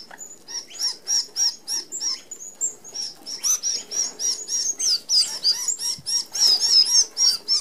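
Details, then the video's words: A whirring flock of red-browed finches feeding at an Australian open aviary feeder that excludes larger birds; dense, overlapping thin high-pitched tseep calls repeat rapidly throughout, with fluttering wings underneath. "Red Browed Finches"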